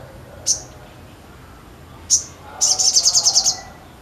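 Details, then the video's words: Sogon singing vigorously (gacor): two sharp high chips spaced well apart, then a quick trill of about nine high notes. "SOGON GACOR"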